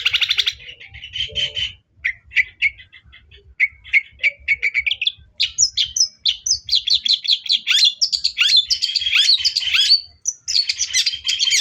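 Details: Long-tailed shrike singing as a lure to agitate another bird: scratchy twittering phrases at first, building after a pause into a dense, fast, continuous chattering warble full of varied squeaky notes.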